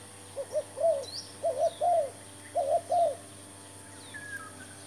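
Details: Spotted dove calling as a decoy during trapping, giving three phrases of low cooing, each a brief double note then a drawn-out descending coo, over a steady hum with a few distant bird chirps.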